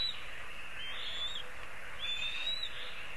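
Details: Black kite at its nest in a lime tree in Kurzeme, Latvia, on a livestream on 29 May 2023 at 16:02. Two thin, high whistled calls rise and fall over a steady broadband rustle.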